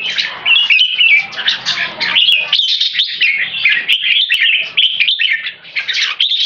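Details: In Singapore, two caged champion Red-whiskered Bulbuls, aged about 3.5 and 6 years, give a "keke" singing display with open tails. They pour out a lively, continuous stream of bright chattering and whistled notes.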